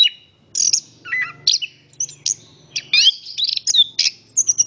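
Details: Orange-headed thrush singing a varied, rapid series of whistled and buzzy notes, sharp chips and slurred phrases, mostly high-pitched, delivered in short bursts with brief pauses.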